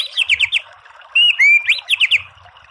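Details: Murai batu (white-rumped shama) singing a short gacor phrase: quick ringing notes, two long slurred whistles rising in pitch, then another run of rapid bright notes.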